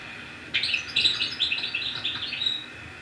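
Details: Recorded song of a European goldfinch from Annaba, Algeria, kept to teach young birds by cassette or CD: a fast, twittering jumble of bright, high chirps and trills running continuously for about two and a half seconds, indoors.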